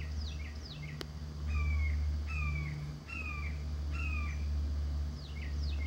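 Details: Young red-shouldered hawks, newly fledged, complain for food while their resident parents share chicken hearts nearby. Four clear, drawn-out descending squeals repeat about every second, with thinner steeply falling notes at the start and end over a constant low drone.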